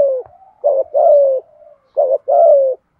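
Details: Spotted dove song, used to draw in other doves: low throaty coos in pairs, a short rough note followed by a longer smooth descending coo, with two such phrases about a second and a half apart.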